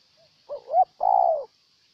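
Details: Spotted dove from Ninh Thuận, Vietnam: a short soft note, then two loud mid-pitched cooing notes, the last long and slightly falling, with a faint steady hiss behind.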